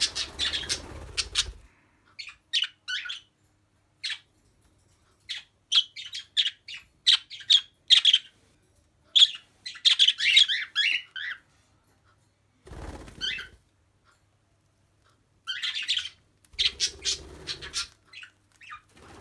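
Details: Budgerigars, kept with a cockatiel, chatter at treat time with quick, scratchy chirps and squawks in short, irregular bursts.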